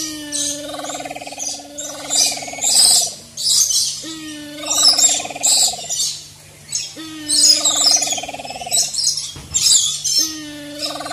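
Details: Maleo in the wild repeating a nasal, harmonic call that falls slightly in pitch, roughly every two to three seconds, four times, amid busy high-pitched chirping of other birds or insects and a steady low hum.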